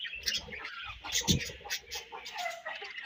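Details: Budgerigars in a colony, chirping together in a dense overlapping chatter of short warbled notes and squeaks, with thumps and low knocks in the background.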